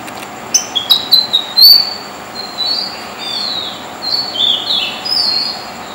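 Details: White-throated (White-spotted) Fantail (Rhipidura albicollis) singing at night in Dombivli town, Maharashtra, India: a few sharp high chirps, then thin whistled phrases sliding up and down, about one per second, over a faint steady hiss.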